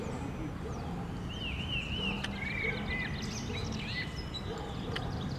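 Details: Rose-ringed parakeet from a colony of several dozen birds at Villa Ada park in Rome, Italy: arched, whistled squawks in quick series, then shriller chattering notes from other birds, over steady low rumbling background noise.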